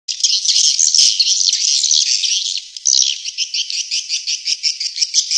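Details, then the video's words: Swiftlet calling sound played to attract swiftlets: dense, buzzy, high twittering chirps run almost without pause, becoming separate rapid pulses, several per second, in the last seconds. "Suara burung walet panggil"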